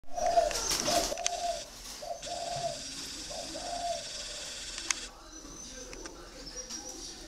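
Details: Spotted dove of the red-coated type known locally as thổ áo đỏ, Vietnam: low hollow coos repeated in short phrases over the first four seconds, then quieter, with steady hiss and a few sharp clicks behind.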